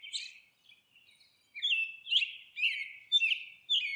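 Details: Nesting monk parakeet: a few softer scratchy notes, a brief pause, then loud raspy chattering calls repeated roughly every half second, each note grating and slightly descending.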